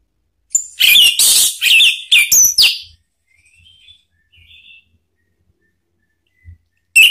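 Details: Orange-headed thrush lure song: a dense burst of loud, varied whistles and slurred notes lasting about two seconds, followed by faint soft whistles, quiet, and one loud note at the end.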